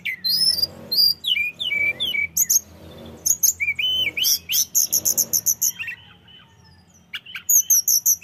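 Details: Tledekan gunung, a mountain flycatcher, in full lively song meant to provoke rivals: high, thin whistled phrases with sharp rising and falling notes, then bursts of rapid clipped chirps and fast ticking trills, with a faint low hum behind.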